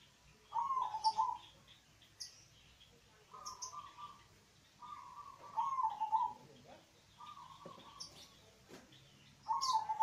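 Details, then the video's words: Local zebra dove song used as a prompt to get other doves singing: several soft, trilling coo phrases spaced a second or two apart, mixed with faint clicks and brief high chirps. "pancingan Suara perkutut lokal"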